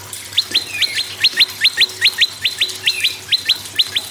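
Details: Prinia song of the prenjak lumut or red-headed prenjak, played to prompt other caged birds to sing: a fast run of sharp upswept notes, about fifteen in four seconds, steady rhythm, faint hiss behind.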